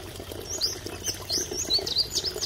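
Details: At Mahodand Lake, a masked wagtail gives a loose string of high, slurred chirps, roughly one every quarter second throughout, set against a steady background rush of water.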